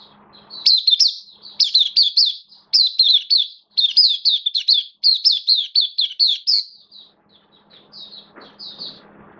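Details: Oriental white-eye of the bird hobby in buka song: fast, energetic strings of high, looping chirps about four per second for several seconds, trailing off into softer scattered notes.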